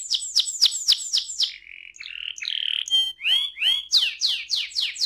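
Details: Canary ngerol song intended to lure other canaries to sing: rapid falling chips, a lower buzzy roll, a brief mix of varied phrases, then loud repeated downslurred whistles.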